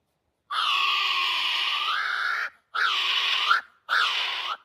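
A kiwi gives three loud, harsh, rasping screeches, the first drawn out for two seconds, each ending with a shrill upward lift.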